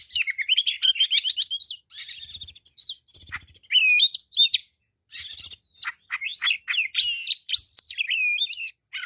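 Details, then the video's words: Fighter oriental magpie-robin singing continuously: rapid chattering trills, whistled slurs and sharp downward sweeping notes high in pitch, delivered in quick bursts with brief gaps, the phrases constantly changing across nine seconds. "kacer deker gacor ngobra fighter"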